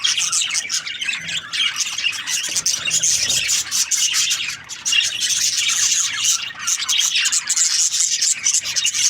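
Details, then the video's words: Budgerigar chirping forms a thick wash of very high, hissy squeaks and trills, almost unbroken, with a short dip in loudness midway. "Budgies Parrot chirping sound | parakeet sounds"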